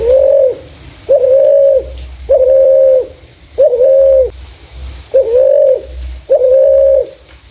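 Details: Spotted dove, clear voice meant to draw in other doves: six low, smooth, level coos repeated steadily about every second and a half, with faint high ticking between.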